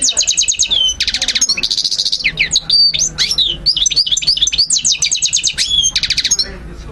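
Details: European goldfinch song for teaching young birds: bursts of rapidly repeated chirps, a buzzy trill, then swooping whistled notes and tinkling phrases, ending in another fast chirp series.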